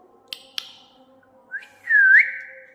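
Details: Pet parrot answering its owner's request to whistle with a short whistle that rises and bends upward at the end, after two soft taps, indoors.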